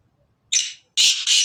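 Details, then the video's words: Black francolin, Sindhi variety, uttering a harsh three-part call: a clipped scratchy first note, a brief gap, then two loud buzzy grating notes back to back, over near silence. "کالے تتر کی اواز کالے سندھی تتر کی اواز Kale teetar Ki Awaaz Kale Sindhi teetar Ki Black pheasant vo"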